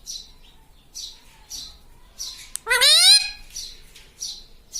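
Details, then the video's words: Indoor pet talking parrot makes soft, repeated high chirps roughly every half second, then one loud rising, harmonic squawk-like utterance in the middle. "Talking parrot - Mitthu mitthu - Mummy Bolne Wala Tota"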